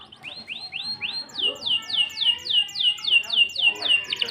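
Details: Canary song in a fancy cengkok style: a series of loud descending whistled sweeps repeated about four per second, first slower rising-falling notes, then rapid even downward slurs, with faint background voices.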